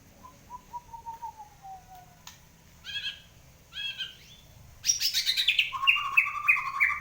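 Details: Kept white-rumped shama in strong song after the moult: a long, softly falling whistle, two short buzzy chip bursts, then a loud, rich, fast run of high whistles and trilled notes.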